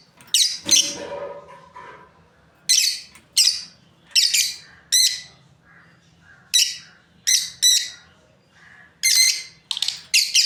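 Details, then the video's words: A breeding pair of lovebirds gives loud, shrill, harsh chirps in short bursts, roughly every second, with brief quiet gaps between. "Beautiful lovebirds chirping sounds"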